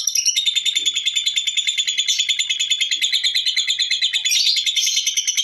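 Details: Long ngekek chatter from a lovebird: a dense, rapid train of shrill, scratchy notes, evenly paced and continuous throughout, with a slight shift to a higher tone near the end.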